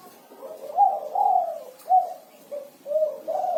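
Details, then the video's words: Energetic spotted dove (tekukur) with its 'kuku 6' style song: low, mellow coos of mixed length, a drawn-out bending note followed by shorter hoots and a rising final coo. "Suara Burung Derkuku Kuku 6 || Tekukur Kuku 6 Gacor"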